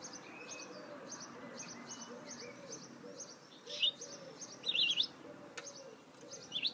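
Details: Goldfinch hybrid (mule) singing: a run of short, high, evenly spaced chirps about three per second, broken by louder, jumbled twittering bursts, over a low steady background hum.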